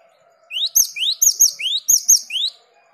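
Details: Cinereous tit (gelatik batu), recorded as tutor material to provoke quick 'ngerol' singing, gives about five loud two-part phrases in two seconds: a rising whistle snapping into a shrill high note, over a faint low hum.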